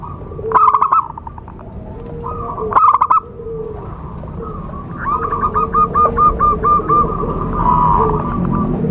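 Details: Lure recording of a zebra dove for trapping: soft coos, then a fast staccato string of short, equal, hooting notes near the end. Two loud clattering bursts come early, with a thin high tone throughout.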